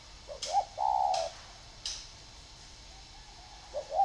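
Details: Caged spotted dove, kept with another in a round bamboo cage and an iron cage, giving a short burst of soft, low coos with a longer held note, then quiet with faint clicks between.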